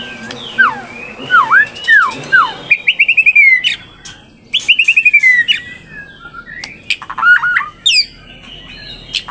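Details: Captive-bred third-generation straw-headed bulbul singing actively in Indonesia, with a rich 'isian' filled-in song: bright slurred whistles dipping and rising, then rapid descending whistled runs and quick chattering bursts, over faint background music.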